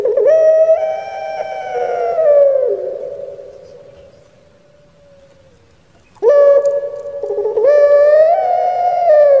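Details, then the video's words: Kept puter pelung dove, a bird famed on Java in Indonesia, in its crying-style song: long, loud, deep rich coos that waver and slide downward, fading into a drawn-out tail before another strong rolling coo starts. "𝙋𝙪𝙩𝙚𝙧 𝙋𝙚𝙡𝙪𝙣𝙜 𝙎𝙪𝙖𝙧𝙖 𝙈𝙀𝙉𝘼𝙉𝙂𝙄𝙎"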